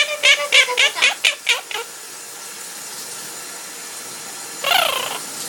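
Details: A male pet parrot that loves to sing while his owner showers gives a quick run of about seven bright, whistled notes, then falls silent before a short burst of hissing.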